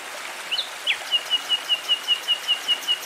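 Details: Nightingale song by a tranquil stream: two quick slurred whistles, then a steady run of about ten identical high piping notes repeated roughly five times per second.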